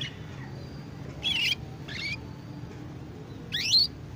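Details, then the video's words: Young canary learning to sing, a soft practice twitter locally called ngeriwik; three short bursts of high, fast chirps and rising sweeps about a second apart, with quiet pauses and a low background hum. "Kenari Paud AF Belajar Ngeriwik"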